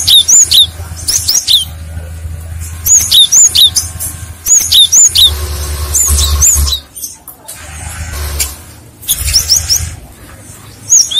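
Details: Vigorous lure song of a cinereous tit that sets other tits answering: repeated bursts of high, clear whistled two-note phrases every few seconds, over a faint low hum.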